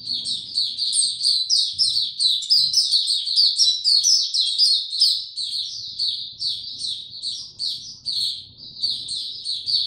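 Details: White-eye given no health supplements singing on 29 April 2022: nearly ten seconds of rapid, high, unbroken twittering and chirps at a steady level, with faint low noise at times.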